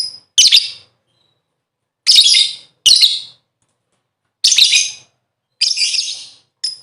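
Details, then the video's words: Lovebird lure sound for getting birds to sing: loud, high, raspy chirp bursts about every one to two seconds, irregularly spaced. "Burung Lovebird ll Pancingan Suara 5 detik Langsung Gacor"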